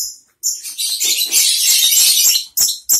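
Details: Right after uncovering, a caged long-tailed shrike pours out a dense, rasping, high-pitched chatter lasting about two seconds, followed by two short sharp notes.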